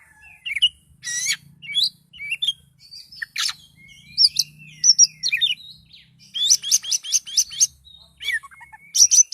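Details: Agitated Oriental magpie-robin song mixing harsh scratchy bursts, slurred whistles and a fast rattling series of repeated ticks, delivered loudly with brief gaps.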